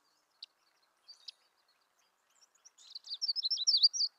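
A Myrtle Warbler gives a few sharp chips, then a quick, high, sweet trill of rolling notes that wavers up and down before stopping abruptly.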